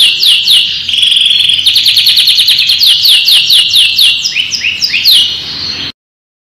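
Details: Canary tutor song for juvenile birds: fast series of repeated downward-sweeping notes and rattling trills, ending abruptly before the final half second of silence.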